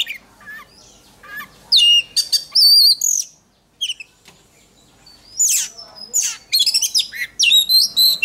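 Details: Singing-contest training by an oriental magpie-robin: varied loud whistled phrases and trills, some wavering, a quiet stretch with a few soft notes, then a fast, energetic run of sharp chirps and slurred whistles.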